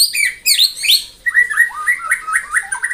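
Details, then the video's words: Morning song of a caged white-rumped shama used to provoke rival birds: high chattering, bubbling notes, then a run of short rising whistled slurs repeated rapidly. "MENAIKAN EMOSI LAWAN AGAR GACOR & BONGKAR ISIAN ( TEMBAKAN MURAI BATU )"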